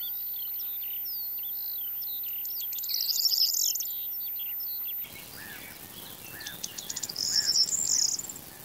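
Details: Corn Bunting singing: two songs, each a run of quickening ticks swelling into a loud, high, jangling trill, around three and seven seconds, with other birds' curving whistled notes throughout.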